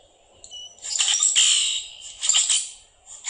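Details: Male Common Grackle, all black except the eye, giving harsh, buzzy, high-pitched squeaks and clicks in two irregular bursts, unmelodious and without steady rhythm.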